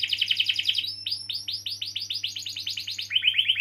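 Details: Canary in full song, played as a lure to prompt other canaries that have stopped singing: fast trilled rolls of repeated notes, a short rapid trill, then rising and falling sweeps and a closing quick trill. Faint steady low hum underneath.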